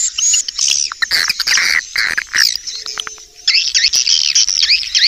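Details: Swiftlet lure call for attracting birds: dense, rapid high-pitched twittering and chirping. Loud bursts are broken by short gaps, and the later part carries a run of quick wavering, repeated chirps.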